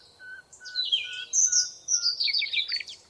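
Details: Lively twittering song in a forest, high and tumbling, set against a lower, steady string of short whistled notes spaced about half a second apart.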